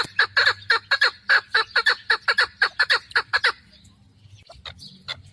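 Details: Female hunting chukar partridge calling a brisk series of harsh chuk notes for about three and a half seconds, followed by a pause and a couple of isolated softer notes.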